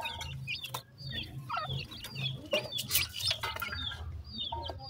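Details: Young partridge chicks at food, peeping in high, squeaky upward chirps amid heavy clicking, pecking and rustling noise, with a faint low hum throughout.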